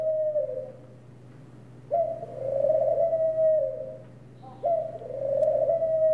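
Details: Gentle cooing of a ring dove. Prolonged mellow coos, each opening with a sharp rise and then holding a level tone before sagging slightly, follow one another with short gaps over a faint steady hum.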